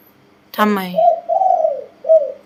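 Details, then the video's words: Spotted dove cooing in a pattern of two 'kuk' notes, 'ku-ang' and 'nun-ang', sometimes with a doubled 'ang' depending on mood: a man speaks briefly, then low mellow drawn-out coos, a long one followed by a shorter one. "2 กุก คูอ่าง หนุนอ่าง อ่างซ้อนเป็นบางอารมณ์"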